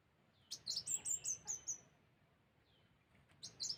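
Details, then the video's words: High, thin chirps from a sunbird, a short descending run of about seven notes, then silence and a fresh burst starting. The recording serves as a lure for other birds. "suara pikat kolibri Wulung"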